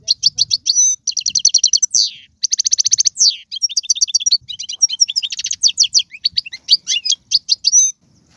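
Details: Caged Algerian European goldfinch in tiwawati, galoubi and sarfati styles: long uninterrupted song of rapid even trills, buzzy rattles, downslurred whistles and twittering notes, nearly continuous across the whole stretch.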